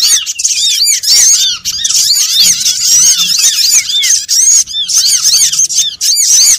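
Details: Trapping lure of small birds: many high-pitched, arched chirps pour out together in a thick, unbroken flock chatter, with only brief gaps in the din.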